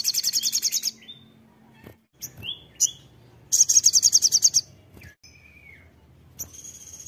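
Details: Crimson sunbird in vigorous song, mixing short bursts of very high, rapid trilled notes with thin whistled slurs. A second long, fast trill bursts out midway through.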